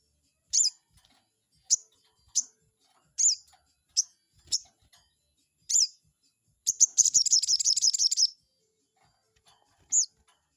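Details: Crested jay calls used as a lure to provoke a rival: sharp, high, downslurred notes repeated irregularly, then a fast, high, dry rattle lasting over a second, followed by one more single note.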